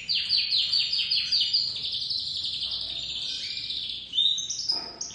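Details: Young white crested domestic canary, a dominant white chick beginning to sing: fast repeated trills flowing into a longer high warble, ending with a few sharp chirps.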